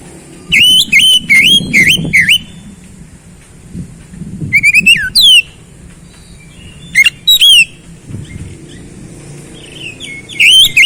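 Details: Oriental magpie-robin, a cage songbird, sings bursts of quick sharp whistled notes, rising and falling swoops grouped in clusters with pauses between, over low background murmur.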